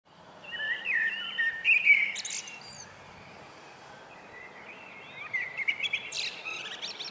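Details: Common starling singing on a roof: a varied burst of whistled slurs, clicks and rasping high notes, a pause, then a second jumbled phrase of chattering whistles, over soft background hiss.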